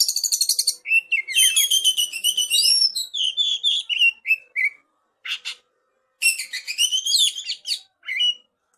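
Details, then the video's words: Young wild oriental magpie-robin from forest singing fast varied phrases: rapid buzzy trills, sliding whistled notes and chattering bursts, with brief pauses between phrases in a quiet setting. "Suara Burung : Kacer Muda Hutan Isian cililin"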